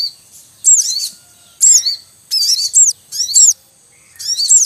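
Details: Wild Javan munia family at a nest, male calling among chicks: dense bursts of high squeaky chirps and looping 'cuit' notes roughly once a second, noisy and busy.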